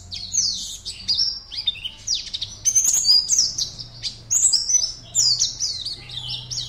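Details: Caged Oriental white-eye from Pontianak, West Kalimantan, performing as entrant 52 in an online singing competition. It sings high twittering phrases in bursts of about a second, with sweeping, slurred chirps and brief gaps between bursts.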